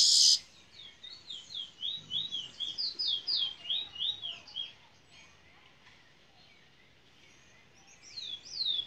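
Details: Locally bred Fire Red mule, a canary x red siskin hybrid from Princes Town, Trinidad, singing in the bullfinch role style: a loud opening burst, then a rapid run of sweet, slurred whistled notes, a pause, and further high phrases.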